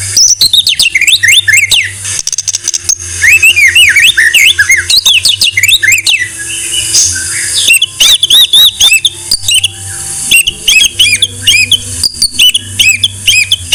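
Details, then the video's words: White-rumped shama singing continuously on a tutor recording: dense, varied, looping whistled phrases and chattering notes, broken by short sharp clicks, over a faint steady low hum. "Masteran MURAI BATU No.1"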